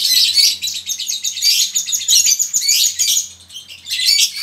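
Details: Captive lovebirds, both females and males, in a colony, singing long 'ngekek' chatter used to prompt other lovebirds to sing; dense, continuous high buzzy chattering in rapid bursts, with a brief lull before resuming, and faint low hum underneath.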